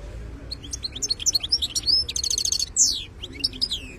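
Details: Wild goldfinch in betbta song: bright, high twittering notes leading into a fast buzzy rattle, then a falling slurred whistle and a few more chirpy twitters.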